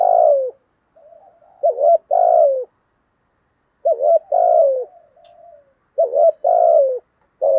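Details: Spotted dove giving rapid coos meant to stimulate other doves into calling all day: deep, rounded double and triple coo phrases with soft trailing murmurs between them, and a clear gap near the middle.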